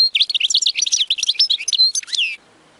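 European goldfinch song: a fast, liquid twitter of bright tinkling notes and buzzy trills, running for over two seconds before stopping.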